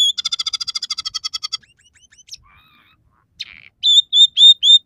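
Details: Scaly-breasted munia in full song, its repertoire including mimicked house sparrow, red siskin and canary phrases. A rapid buzzy trill of about fifteen even notes, then a pause, faint thin notes and a run of clear whistled chirps.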